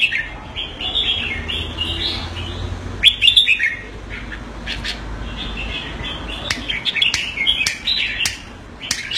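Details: Red-whiskered bulbul kept in Singapore calling on command: softer, more distant chattering chirps with one brief rattled burst, sharp clicks, and a low background rumble.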